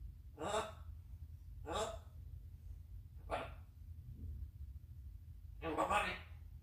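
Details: Pet African grey parrot that speaks English, Hindi and Arabic words, uttering four separate short speech-like phrases spaced about a second or more apart, each broadband and human-like, over a steady low hum.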